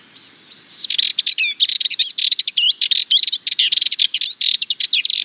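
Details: Sardinian warbler song: a fast, scratchy, rattling chatter of rapid notes mixed with a few whistled slurs, delivered in a continuous burst of about four and a half seconds with no other sounds.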